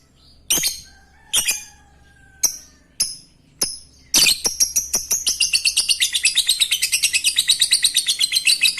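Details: Lovebird sound meant to stimulate breeding: a few loud, squeaky, well-spaced chirps, then a sudden burst of fast, continuous high chattering twitter lasting to the end.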